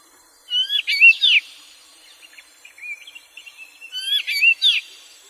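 Black Drongo giving two bursts of sharp, slightly harsh twisting whistles and metallic notes, about three seconds apart, with softer chatter between.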